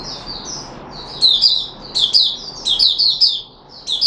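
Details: Caged red-whiskered bulbul (Puteh Raja), 13 April 2021, after fruit juice, a mealworm and a health supplement: bubbly run of bright, quick warbled notes in close succession, with softer chirps of another bird in between.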